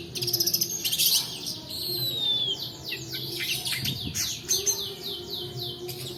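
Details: Long-tailed shrike song with long-duration roll, used as a lure to prompt reluctant shrikes and for tutoring other birds: a dense mix of sharp chirps, buzzy bursts and a clear descending whistle, with a steady low hum behind.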